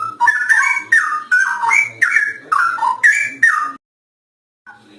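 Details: Straw-headed bulbul (cucak rowo) singing vigorously in gacor style: loud, rich, bubbly warbled whistles in quick phrases about two or three per second, rising and falling, stopping abruptly after nearly four seconds before a faint restart.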